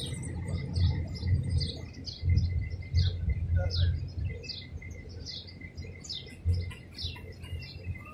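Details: Madagascar hoopoe feeding chicks sitting inside a palm-tree nest hole in Abu Dhabi, UAE: a rapid, steady stream of high, thin chirps, several each second, over low rumbling thumps and background noise.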